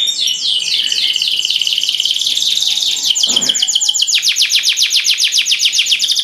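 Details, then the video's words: Five canaries singing a training song: a long fast rhythmic tour of repeated swept notes, building into loud pulsing rolls, with several birds trilling together densely. "5 canary birds singing / best training song"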